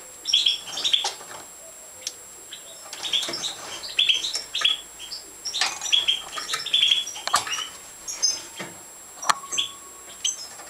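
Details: European goldfinches at feeding in a breeding setup: clusters of high, sharp twittering chirps in quick runs, pausing briefly between bursts, with scattered clicks and rustling.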